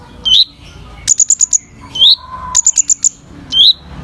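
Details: Kolibri ninja, a sunbird, singing vigorously: a loud upward-swept whistle, then a rapid string of five piercing high ticks, the pattern repeating twice more, with a faint low hum underneath.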